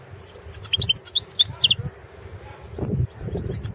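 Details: Competition song of a European goldfinch, recorded for the 2016 world championship in goldfinch song: a lively run of high, liquid twitters and chirps over about a second, then quiet with low thumping background noise and one final note.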